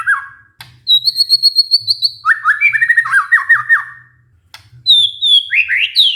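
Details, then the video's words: White-rumped shama song used as a lure to stir a stressed shama that has stopped singing. Varied whistled phrases: high sustained notes, then fast descending chopped notes, a pause, and rising whistled slurs at the end. "pancingan murai batu macet bunyi karena stres"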